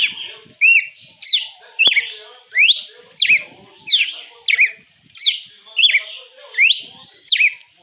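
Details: Red-cowled cardinal singing in the açoite style: loud, clear whistled notes, each a sharp rising or falling sweep. About eleven notes come in eight seconds at a fairly steady pace, with faint chirps behind them.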